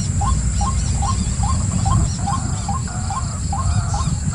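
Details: A white-breasted waterhen utters a steady string of short, upturned notes, about ten in four seconds, above a loud low-pitched rumbling background.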